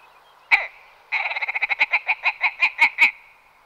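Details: Willow ptarmigan calling: one harsh nasal note, a short pause, then a rattling series of about fifteen pulses that starts fast, then slows and grows louder toward the end. Quiet background.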